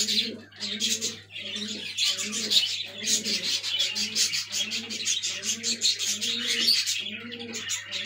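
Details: Black fantail domestic pigeons with their babies: low, throaty coos pulse roughly every second under a steady wash of high, thin squeaking and chirping.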